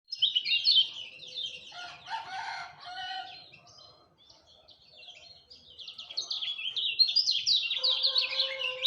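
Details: Lemon-bellied white-eye at dawn, singing rapid high-pitched warbled phrases of twittering, sliding notes in two bursts, with a rooster crowing in the middle.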